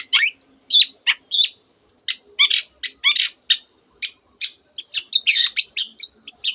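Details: Long-tailed shrike in energetic song full of imitations of canary and many other birds; a jumble of high chirps, rasping bursts and short whistles with brief gaps between them.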